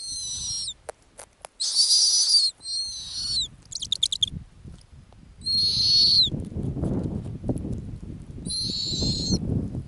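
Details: Female snowy owl at an Arctic ground nest gives repeated high screeching whistles. They are mixed with sharp clicks and a quick stuttering series of short notes, and end over louder low rumbling noise.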